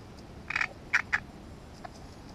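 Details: Great reed warbler, recorded in unedited wildlife footage, gives three harsh, grating, croaking notes in quick succession, then falls silent apart from a faint soft note, over a quiet background hiss.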